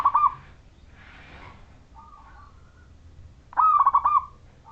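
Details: Zebra dove of the local wild Majapahit type, singing actively as a lure to set other zebra doves singing: one clear bubbly trilled coo phrase of rolling notes near the end, a clipped phrase at the start, faint cooing between.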